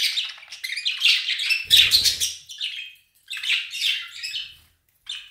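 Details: Pet budgerigars feasting on basil indoors, keeping up a dense, busy chatter of high scratchy chirps and warbles in overlapping bursts, with a soft thump partway through and a short pause before the chatter resumes.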